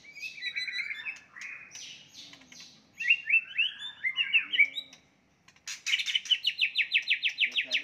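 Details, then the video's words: White-rumped shama singing a fighting song to provoke a rival. Loud rich whistled phrases and slurred notes give way to a short pause, then a steady trill of about a dozen rapid repeated notes. "murai batu tarung ampuh untuk menaikan emosi"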